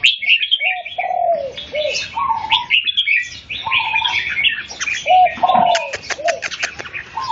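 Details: Red-whiskered bulbul song during a face-off with a rival bird: busy run of high chirps and short warbled phrases, with lower whistled slurs between them and a burst of sharp clicking taps near the end.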